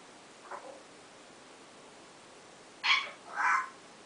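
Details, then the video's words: A pet African grey practicing its new "owww" call around 4:30 a.m.: one faint short note, a pause of two seconds, then two loud raspy bursts in quick succession, the second lower and more drawn out. "African Grey practicing new owww sound"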